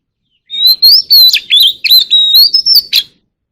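An Oriental magpie-robin sings a rich, varied run of clear whistles and sharp chirps for about two and a half seconds, mostly high-pitched, with no other sounds.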